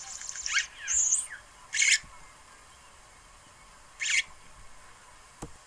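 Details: Red-headed weaver building a nest; three short harsh buzzy calls spaced over about four seconds, with a brief high squeaky phrase near the start, quiet background otherwise.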